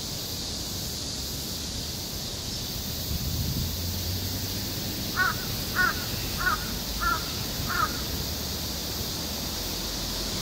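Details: Crow giving five quick hoarse caws in a row after several seconds of quiet, each short and clipped, spaced about half a second apart, with constant background hiss and a faint low hum.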